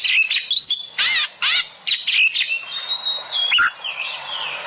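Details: Oriental magpie-robin singing as a lure for kept birds: harsh rasping bursts alternate with clear sliding whistles and a long thin sustained note, then softer warbles.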